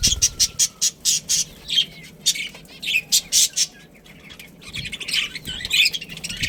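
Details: Budgerigars, a pet breeding pair, with evenly spaced short chirps at the start, then looser scratchy warbling chatter toward the end.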